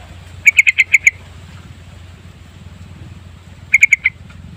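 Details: Yellow-vented bulbul lure recording used to draw birds in; a quick burst of six sharp, bright chirps, then a pause of nearly three seconds and a shorter burst of four, over a low steady hum.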